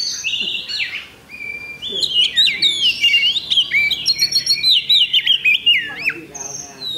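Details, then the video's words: Oriental magpie-robin at a bird song contest on Thursday, 8 October 2020, delivering a loud, varied run of whistled slurs, sharp chips and quick rising and falling notes, with a short pause before a dense, rapid stream of phrases. "Kacer Bagong Ngunci Mulai Semi"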